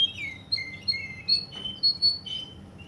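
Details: Russian canary from Kuwait singing clear whistled notes that alternate between low and high pitches, with short phrases repeated in a steady, lilting series.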